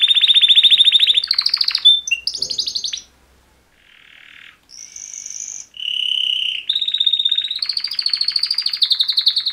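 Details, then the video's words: Two male canaries sing a mating song: a long rapid trill, a pause, then drawn-out whistled and buzzy tones before a fast rolling trill resumes and continues to the end. "Super Two Males Canary Mating Call Songs"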